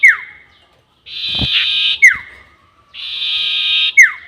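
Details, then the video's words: Sirtu bird call for luring birds to traps, long 'nyiul' variety: a falling whistle, then two phrases of steady buzzing each ending in a sharp downslurred whistle, about two seconds apart. "SIRTU NYIUL PANJANG ..... ‼️ Cocok Untuk Pikat || Suara Pancingan Sirtu"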